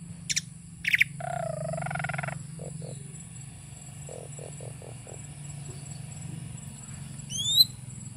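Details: Asian pied starling, a tame bird, giving two sharp high notes, a wavering warbled phrase, scattered short low notes and a rising whistled squeal near the end, quieter than the background hum at times.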